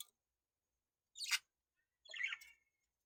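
Two brief, scratchy budgerigar chirps, the second more warbled and buzzy, separated by quiet.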